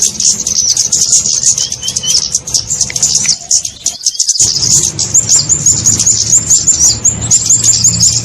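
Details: High busy twittering of kemade birds, a lure recording for catching small birds; a brief gap near the middle, then a run of quick repeated upslurred chirps, over a faint low hum.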